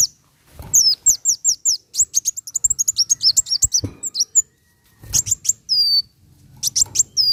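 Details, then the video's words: Song of Van Hasselt's sunbird, played to prompt caged birds into song: a long rapid string of high downslurred chips speeding into a dense twitter, then short bursts of ticks and thin falling whistles. "Suara ampuh kolibri wulung angkat burung bahan jadi gacor!!!"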